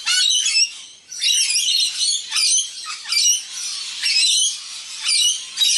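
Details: Feeding party of wild rainbow lorikeets with a juvenile joining in; loud, rasping shrieks come in clustered bursts roughly every second, overlapping from several birds.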